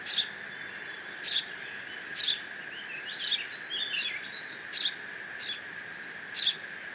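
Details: Eaglet of the bald eagle at the Decorah nest, 30 June 2017, guarding a fish its father delivered by mantling and squeeing: spaced piercing squeaks broken by a quick cluster of rising and falling chittering notes, with constant hum.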